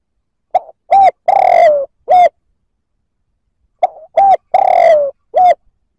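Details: Spotted dove calling to provoke rival males. The same four-part cooing phrase is given twice, about three seconds apart. Each phrase has a soft lead-in note, a short coo, a long falling purr and a closing coo, against a clean, quiet background.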